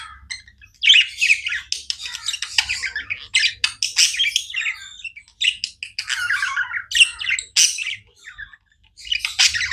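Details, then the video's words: Tame budgies keep up a continuous chatter of harsh squawky notes mixed with rapid twittering chirps, with a loud outburst near the start and a short lull toward the end. "Budgies non stop chirping sounds"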